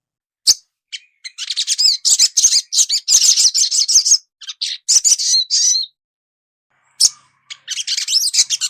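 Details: Young sunbird kept for song training, with its song played to prompt fast chattering. Long bursts of high, rapid chirps and twitters, broken by short pauses, then a fresh burst.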